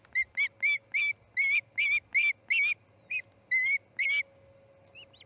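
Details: Osprey at the Charlo nest as a chick fledges, early morning of August 10, 2018: a rapid series of sharp whistled chirps, about two per second, that breaks into spaced, softer notes near the end, over a low hum.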